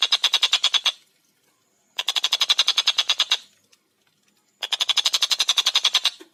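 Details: Javan kingfisher song in a fast, dense style, three bursts of rapid harsh rattling notes lasting about a second each, separated by short silences.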